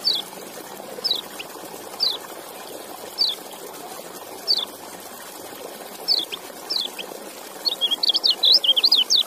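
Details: Kecial (white-eye) giving single sharp descending high chips roughly every second, then breaking into a quick run of twittering notes at the end, over a steady background hiss.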